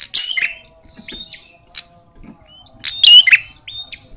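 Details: Fighting-style calling from an aggressive red-headed prinia: a scratchy burst at the start and a louder harsh, whistle-streaked burst near the end, with scattered short whistles and soft chips between them.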